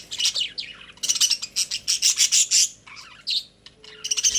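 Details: Caged pet budgerigars chattering happily: dense bursts of high, scratchy chirps and twitters come in quick runs, with a short quieter gap near the middle before the chirping resumes.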